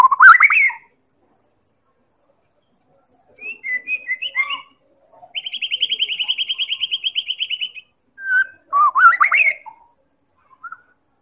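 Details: White-rumped shama from Medan singing a lure song to set other birds singing: loud rising warble, pause, mixed whistled notes, then a long rapid even trill of about thirty notes, followed by jumbled rising phrases.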